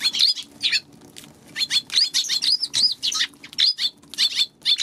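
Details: Eurasian tree sparrow chirping loudly and almost continuously, harsh bright notes in quick uneven runs with brief gaps, close and clear above a faint low hum.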